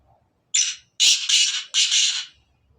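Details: Sindhi black francolin calling loudly: one brief scratchy note followed by three harsh, buzzy, grating notes in quick succession. Little else audible behind the bird.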